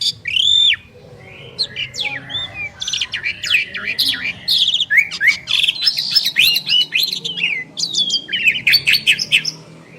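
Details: Duet of two prized Asian pied starlings: a loud opening whistle, then a quieter pause, building into busy overlapping chatter of rising slurs, squeaks and harsh rasping notes.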